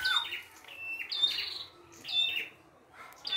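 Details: Red-headed prinia in the wild, singing busily with a rich mix of phrases: three bright chirping bursts, each a thin high whistle followed by slurred, descending trilled notes.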